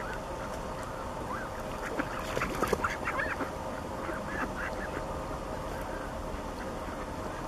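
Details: Wild mallards on a lake give a brief burst of quick, harsh quacks and chattering calls clustered near the middle, set against steady broadband noise, then fall mostly quiet.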